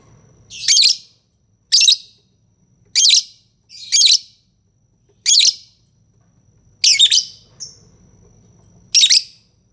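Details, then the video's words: Lovebird giving loud, harsh, buzzy chirps in short separate bursts, about seven spaced roughly one to one and a half seconds apart, with a faint low hum between calls. "Suara burung lovebird"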